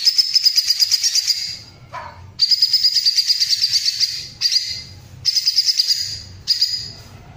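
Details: Training song of cililin for white-rumped shamas: repeated bursts of a rapid, piercing, close-set rolling trill, each a second or more long, separated by short gaps and one lower descending note.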